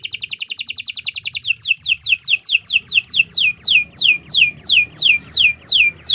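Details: Canary song used as a training tutor for other birds: a rapid high trill of repeated notes, then a run of slurred descending whistles repeated about three times per second.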